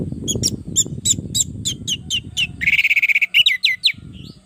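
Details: Orange-headed thrush singing energetically as a training and luring recording; crisp repeated high chips over low rumbling background noise, then a rapid trill and a few upslurred whistles.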